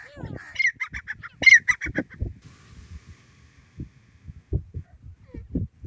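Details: Grey francolin, known locally as desi teetar, giving a fast series of sharp, clipped high notes in a rhythmic burst, followed by low thumps and knocking noises.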